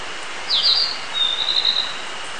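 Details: Narcissus flycatcher song on 22 June 2019: a high, quick slurred phrase followed by a thin, level trill, over a steady hiss like rain.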